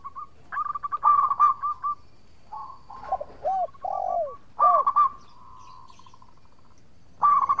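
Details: Zebra dove of local stock singing actively, its song used as a lure to draw quick replies from rivals: short bursts of trilled cooing alternate with deeper, curving coo notes, separated by brief quiet gaps.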